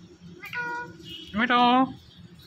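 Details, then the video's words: Pet Indian ringneck parrot imitating speech, giving two meow-like calls, the second louder and longer with an upward slur, over a steady low background hum. "Talking Indian Ringneck Parrot"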